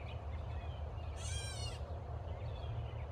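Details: A catbird squawking at a person gives one harsh, nasal squawk, a buzzy mewing note lasting under a second, over a steady low rumble of wind or traffic.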